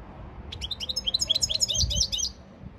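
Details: European goldfinch training song recorded 15 February 2024: a quick run of bright, high twittering notes and sweeping chirps, briefly dense and then stopping abruptly, over a faint low background rumble.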